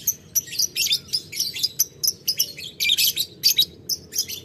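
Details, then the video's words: Lovebird in ngetik ngekek style calling to a rival, which soon replies in kind. Sharp, high, separate chirps come about three per second, with a denser chattering burst near the middle. "Lovebird Memanggil Lawan Ngetik Ngekek - Tidak Lama Labet Auto Nyaut Ngetik Ngekek Panjang"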